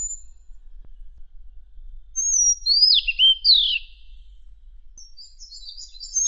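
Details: Madagascar magpie-robin, recorded as song material for training songbirds for contests: a thin high note, two bold downslurred whistles, then faint scratchy chatter near the end.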